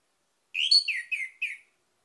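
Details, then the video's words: A single quick phrase of four slurred, descending whistled notes from an orange-headed thrush, sung as a lure to set other birds singing. "PANCINGAN ANIS MERAH CEPAT GACOR"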